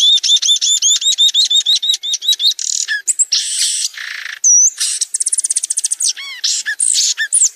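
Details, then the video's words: Violaceous euphonia singing a fast, varied medley: rapid runs of high, sharply repeated chirps, buzzy rasping notes, slurred whistles and quick trills, delivered almost without pause in a dense, busy stream. "Canto gaturamo verdadeiro (Euphonia violacea)"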